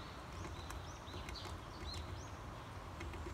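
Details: Spring recording of a Varied tit feeding on sunflower seeds, giving a string of thin, high, down-curving chirps at a brisk pace, with a sharp tap or two and a constant low background hum.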